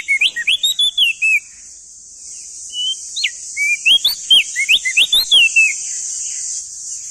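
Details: Male crested white-eye from East Nusa Tenggara, singing loudly: rapid strings of sweeping whistled notes, rising and falling, in two bursts separated by a pause, over a steady high hiss.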